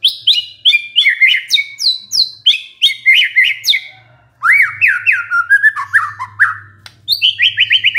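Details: White-rumped shama singing, meant as a lure to set off a stressed shama: quick bright whistled phrases of falling slurred notes, then rising and falling sweeps and a fast run of repeated high notes, with a low hum underneath.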